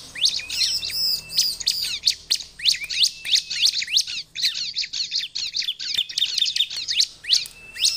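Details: Continuous bar-winged prinia song used to lure wild prinias, fast chattering chirps and sweeps packed closely together, lively and unbroken.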